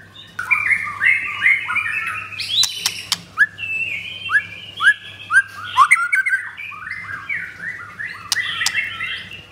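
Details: Pastol blorok white-rumped shama with a double leg ring in song: rich, fluting whistled phrases with short slurred notes and a few sharp clicks, over a low background hum.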